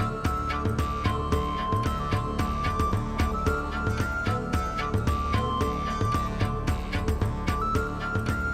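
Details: Rhythmic instrumental music with a steady beat and a repeated melody plays throughout, with no animal calls heard.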